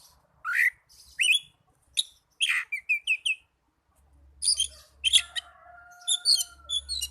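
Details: Young Oriental magpie-robin giving bright whistled notes and short chirps in separate bursts, including a quick run of rising notes, with a faint steady low hum in the background.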